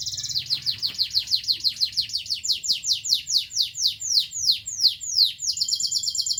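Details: Local canary producing a long run of sharp downward-sweeping chips, about three per second, finishing on a buzzy high trill.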